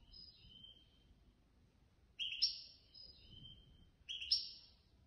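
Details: European goldfinch that took third place in a competition held by a Casablanca bird lovers' association; quiet, bright twittering phrases with sliding whistled notes, repeated about every two seconds over low background hum.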